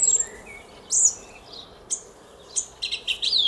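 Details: Song thrush in a garden at Szalkszentmárton, Hungary, early morning on 10 April 2021: scattered high, sharp whistled notes separated by short pauses in a quiet setting.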